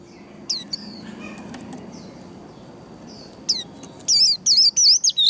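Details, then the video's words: White-eye fighting trill song (líu đấu), meant to stimulate singing: scattered high chips and a short whistle early, then a lively run of looping, high wavy notes in the final second and a half. "Vành khuyên líu đấu. Kích lửa vành khuyên líu đấu"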